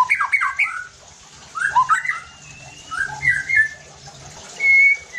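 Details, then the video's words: White-rumped shama playing as a lure to provoke other shamas into fierce singing: quick slurred whistled phrases with pauses, ending in a clear high whistle, over a low rumbling background. "PANCINGAN EFEKTIF JADIKAN MURAI BATU NEMBAK KASARR UNTUK MENINGKATKAN EMOSI DAN BONGKAR ISIAN"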